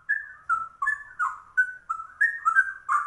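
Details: Yellow-vented bulbul (trucuk), described as rare, singing ropel-style like a straw-headed bulbul: bright, clear whistled phrases of falling and rising notes, spaced about every third of a second, with quiet in between.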